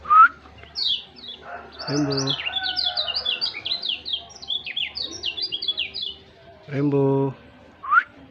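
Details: Kept white-eye singing in an agitated, raging mood: a rapid, dense run of thin, high descending chirps lasting several seconds, framed by lower rising whistles at the start and end and two short low buzzy bursts.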